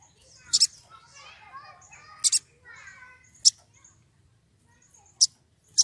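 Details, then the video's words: Sogon, wild and excited, calling a rival: isolated sharp high squeaks, some doubled, separated by gaps of one to two seconds, over faint twittering from other birds and a low background hum. "Sogon emosi cari lawan"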